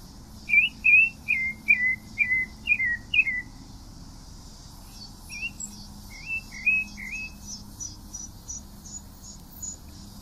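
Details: A pale-breasted thrush sings a brisk string of looping whistles, about seven loud notes in three seconds, then a softer, more scattered run of short twisting notes; faint high chirping in the background.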